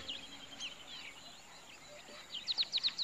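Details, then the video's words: Pied Kingfisher in Kruger Park, South Africa, a bird with a special sound; high chirps scattered over the first half, then a quick run of five sharp, squeaky notes near the end. "Pied Kingfisher in Krugerpark"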